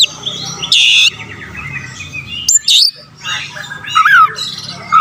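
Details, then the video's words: Oriental magpie-robin (kacer) song used to provoke rival birds: harsh buzzy bursts separated by quieter chatter, a clear upswept whistle, and a wavering warble near the end. "pancingan burung Kacer gacor dongkrak emosi lawan"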